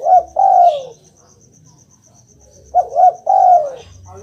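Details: Spotted dove cooing meant to prompt a quiet pet dove to reply: two phrases of short coos followed by a long, slightly descending coo, a pause of nearly two seconds between phrases, steady faint high whine in background.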